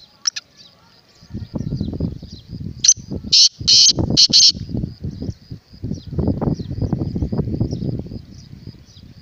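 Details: Black francolin (kala teetar) giving its harsh, rasping multi-note call: a short note, then longer buzzy grating notes ending in a quick pair, with a thin steady high tone and low rumbling noise around it.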